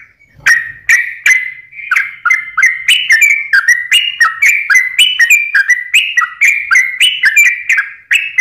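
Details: Sooty-headed bulbul song played as a lure to make reluctant or stressed birds sing: a continuous stream of rich, rolling whistled notes, each rising or falling, repeated in a steady bubbling chatter.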